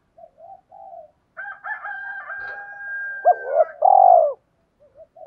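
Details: Decoy spotted dove calling to lure other doves, a series of low hooting coos, then a drawn-out higher tone and a loud, swelling final coo, with a brief pause before soft coos resume.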